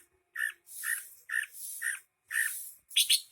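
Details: Greater green leafbird singing hard, with a string of rough, buzzy mid-pitched notes roughly every half second, ending in a few louder, harsher squawk-like bursts.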